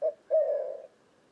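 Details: White-winged dove cooing, a brief fragment: a short low hoot followed by a longer, steady, mellow coo note, low-pitched and hollow, with quiet pauses around it.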